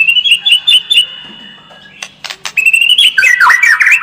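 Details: White-rumped shama lure song meant to make the bird more combative: five quick, even whistled notes, a pause with a few clicks, then a sustained high whistle breaking into a fast warbling flourish.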